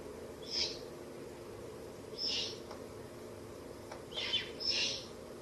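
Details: Owlets in a nest inside a ruin, fed on a rabbit by their mother late on a spring night, 30 April to 1 May 2024; four short breathy noise bursts, spaced unevenly, over a steady low hum.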